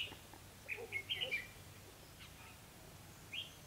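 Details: Red-whiskered bulbul used to lure birds into a trap gives a quick run of bright whistled notes, then a single later note, over faint background hiss; 28 October 2016.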